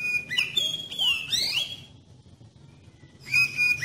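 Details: Oriental magpie-robin song used as a lure to set other magpie-robins singing: a steady high whistle breaks into swooping, slurred notes, then near silence, then a fresh whistled phrase begins.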